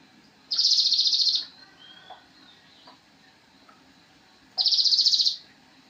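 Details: Javan cochoa singing as a training master for songbirds: two bright, fast-pulsed buzzy trills about four seconds apart, with a faint thin whistle in the gap.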